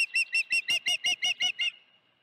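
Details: Osprey calling at the nest with a live fish, Dunrovin Ranch, June 16, 2019, afternoon: nine loud, clipped, high-pitched whistles in quick regular succession, trailing off into quiet at the end.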